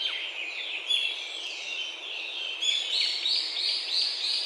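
Brown-eared Bulbul giving shrill, squealing calls, with a burst of quick repeated high notes near the end; other birds chatter in the background.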